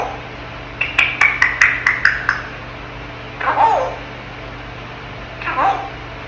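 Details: Ten-month-old African grey parrot kept as a pet, vocalizing in its crib: a quick run of about seven crisp clicking whistled notes, followed by two softer husky, speech-like sounds indoors.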